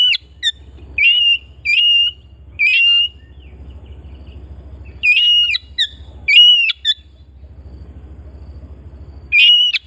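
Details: Home-kept Oriental magpie-robin singing repeated loud whistles, each a level tone with sharp clicky edges. The phrases come roughly every second, pause, then resume in a cluster, with a low mechanical hum beneath.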